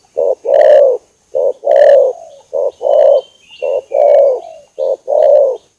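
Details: Spotted dove lure call, vigorous and long-running: soft, throaty coos, each a short note followed by a longer one, repeated steadily, with faint high thin whistles from another bird behind them.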